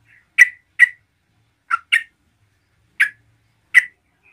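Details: Short, sharp, scratchy single and paired notes spaced under a second apart from a yellow-vented bulbul singing to provoke other bulbuls.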